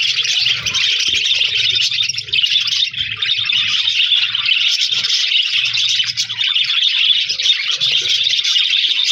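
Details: Chirping budgies with a new companion, January 4, 2026: a steady, unbroken wall of rapid squeaky chatter and twittering from several birds, lasting throughout, with soft low thumps underneath.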